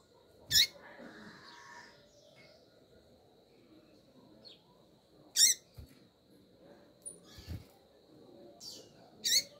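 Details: A female double-collared seedeater calls to get the male going: four sharp, high, clipped chips spaced irregularly, a few seconds apart, with faint soft notes between.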